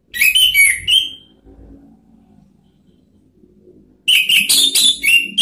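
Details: Orange-headed thrush song meant to call out rivals: two bursts of fast, loud, rich whistled and warbled notes with a quiet gap between, faint low rumble in the background.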